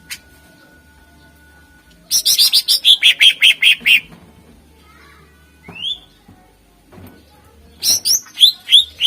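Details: Greater green leafbird song, used to draw contest birds: a sustained rapid run of harsh repeated notes, a rising whistle after a pause, then another quick series of sharp notes.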